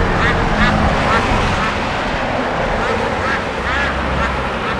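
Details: Snow geese give a steady din of nasal, yelping honks, several each second, over a constant rushing background noise; Châteauguay, Quebec, Canada, 14 September 2011.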